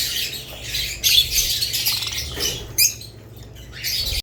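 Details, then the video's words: Budgerigars, with lovebirds also named, chirping in bursts: scratchy high twitters and squawks broken by short lulls, with a sharp loud outburst near the middle and chatter resuming at the end. "Budgerigars lovebirds Chirping Sounds"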